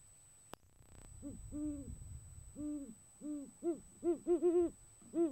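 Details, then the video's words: Male great horned owl courting a female on a January night, deep hoots at first slow and spaced, then quickening into a rapid run of shorter hoots; a click near the start and low rumble underneath. "A how to guide for "date night" for a male Great Horned Owl"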